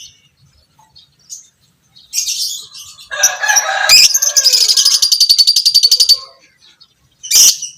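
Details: Fighter lovebird in violet parblue creamino colour, giving the long ngekek chatter used as masteran for other lovebirds; scratchy notes build into a fast, even rattling trill lasting about two seconds, then a short sharp burst.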